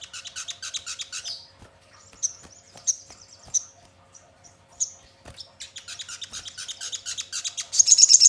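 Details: Crimson sunbird song meant as a lure to draw song and responses from birds: quick, high chirps, then spaced thin whistles with short pauses, then a renewed fast twittering run rising to a shrill, dense burst at the close.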